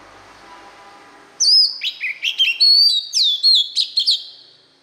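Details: Song of a white-rumped shama, played to tutor young birds: a faint low hum first, then a sudden loud run of pure whistles, quick upward sweeps and crisp notes.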